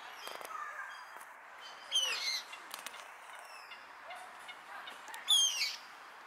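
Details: Common moorhen in Tivoli landscape park, Ljubljana, on 2 September 2022, gives two harsh, squawking calls about three seconds apart, each a short abrupt burst, over faint background chirps and clicks.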